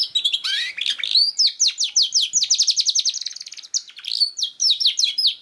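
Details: Canary lure song to make a young bird sing: warbled opening notes, then a long, rapid, evenly spaced trill of high slurred notes, a pause, and further sweeping chirps.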